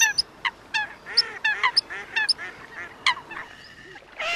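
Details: Coot calling: short, harsh, honking notes with stacked overtones, given singly or in quick pairs at irregular intervals, some higher squeaky notes mixed in, against a soft background hiss.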